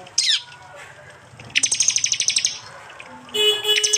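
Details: Prinia song from East Java, recorded on an Android phone and mixed with other small birds into a bird-training track: a sharp downslurred note, then a rapid metallic ticking burst lasting about one second, followed by a bright tinkling phrase.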